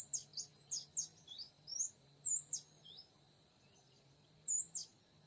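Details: Oriental magpie-robin, luring a young wild male in forest: a few sharp whistled and slurred notes in a short run, then scattered single phrases separated by quiet gaps, over a faint low hum.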